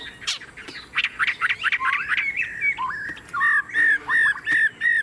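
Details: Tame caged Chinese hwamei, said to sing nonstop like a machine: a loud, rapid jumble of varied, rich, slurred phrases, then clear whistled notes repeated about twice a second, each with a slight downward slur; a faint steady high tone runs underneath.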